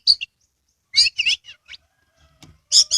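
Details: Oriental magpie-robin kept as a songbird in Kebumen, Central Java, tail spread while singing: short clusters of high sharp chirps and buzzy notes, broken by pauses and a few faint clicks.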